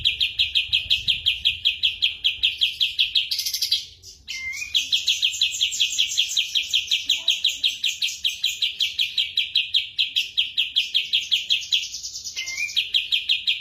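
A Sooty-headed Bulbul sings a long, fast, bright chatter of quickly repeated notes, nearly unbroken except for two brief pauses.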